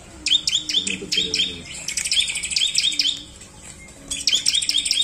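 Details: Bar-winged prinia (ciblek) song used as a lure to stimulate singing in sluggish birds. Bright, high chirping notes come in fast repeated bursts, then a brief lull and another rapid series. A faint low hum runs underneath.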